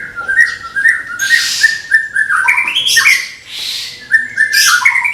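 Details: White-rumped shama from Medan, a caged contest bird, delivering 'tembakan' song: rapid chains of mid-pitched whistled notes broken by loud harsh hissing bursts, repeated almost without pause.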